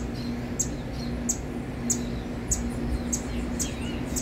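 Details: Begging calls of young saffron finches: brief piercing high peeps, some slightly slurred, coming roughly twice a second above a constant low droning hum.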